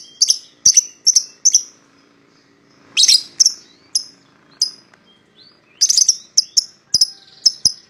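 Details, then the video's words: Pied lovebird pair calling to prompt a rival to join in: bright high chirps in short runs, a harsh chattering burst midway, then quick clipped tweets. "PASANGAN LOVEBIRD PAUD,!Pancingan Memanggil Lawan Agar Ikutan Bunyi"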